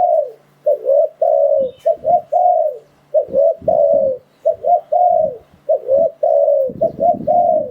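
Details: Repeated spotted dove coos used as a trapping lure for wild doves: a steady series of short and long mellow notes, phrases about every two to three seconds, with soft thumps beneath.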